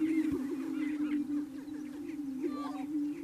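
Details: Greater prairie chicken lek near Wray, Colorado, in April, males booming via inflated air sacs to attract smaller plain females; a continuous low hollow drone with a few faint whoops and cackles above.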